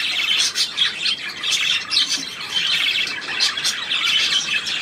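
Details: Steady budgerigar warbling from 3 April 2017: a stream of rapid, buzzy chirrups and squawks pulsing in short loud bursts about every half second, constant and unbroken.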